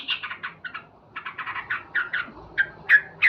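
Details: Brisk chatter from a male sooty-headed bulbul singing loudly in the morning, with short note clusters ending in sharp whistled notes.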